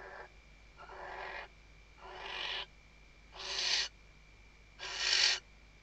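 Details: Western barn owl female stuffing the nest and calling the male, Riet Vell Nature Reserve, Spain, 2023: five rasping hissed calls growing louder and harsher, each about half a second, roughly one per second.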